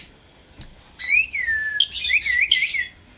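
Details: Indian ringneck parrot giving a loud, wavering whistle that dips and rises several times, mixed with harsh raspy bursts, in an otherwise quiet setting.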